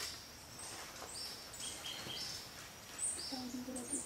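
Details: At Milpe Bird Sanctuary, Ecuador, in May 2012, a blue-necked tanager (Tangara cyanicollis cyanopygia) gives thin, very high, short tsit notes scattered over a few seconds. A steady hiss runs underneath, with a low murmur near the end.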